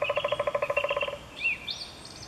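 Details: Eurasian three-toed woodpecker, Chvalčov, Czech Republic, August 2013: a quick run of about seventeen hollow tonal pulses lasting just over a second, followed by a couple of thin arched chirps from another bird.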